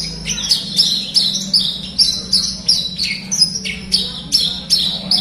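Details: Horsfield's bush lark song meant to coax a quiet lark into singing: quick sharp chirps and descending slurred notes, repeated about every third of a second, over a faint low hum.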